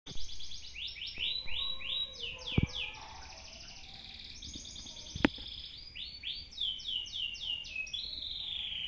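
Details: Canary, kept for possible song contests, singing in Indonesia: rapid rolling trills of high sweeping notes, each phrase a run of repeated downward slurs, broken by sharp clicks and a short lower passage, over steady background hum.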